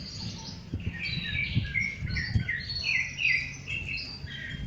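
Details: Rufous-bellied thrush singing in nature. Varied warbled and whistled phrases, some short notes and some drawn out, rise and fall against low rumbling wind or handling noise.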